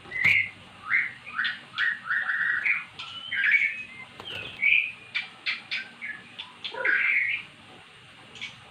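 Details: Previously mute magpie-robin coaxed into song by recorded calls: a lively series of short whistled and chattering notes repeated about every half second, varied and rich.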